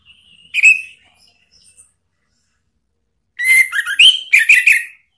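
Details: Lure song of an orange-headed thrush for prompting a caged bird to reply: a short whistled note, a pause, then a dense burst of warbled, up-and-down phrases with clicking notes.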